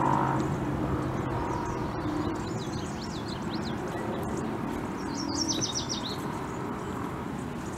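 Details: A group of American bushtits bathing together: thin, high twittering notes and quick descending trills, scattered then clustered near the end, over splashing water and a steady low background rumble.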